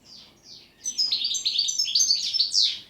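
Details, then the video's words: Goldfinch singing pletivo ziju u ziju stanka: two soft, descending introductory notes, then a loud, rapid stream of jingling twitters and trills ending on a bright, rasping note. "Štiglić, Grdelin, češljugar PLETIVO ZIJU U ZIJU STANKA"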